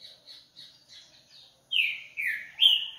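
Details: Double-collared seedeater (coleiro) from a breeder: a run of soft, short chipping notes about three per second, then three loud, sweeping whistled phrases sliding downward, the last one higher and ringing; no other sounds.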